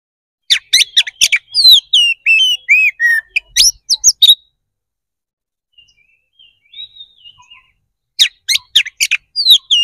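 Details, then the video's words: Oriental magpie-robin fighting song meant to rouse other birds to answer: dense bursts of loud, piercing whistles and chattering slurred notes, a quieter warbled passage in the middle, then another rapid, ringing volley. "KACER GACOR NGEPLONG TARUNG !! PANCINGAN DASAR PALING AMPUH BUAT MENAIKAN EMOSI KACER AUTO RESPON"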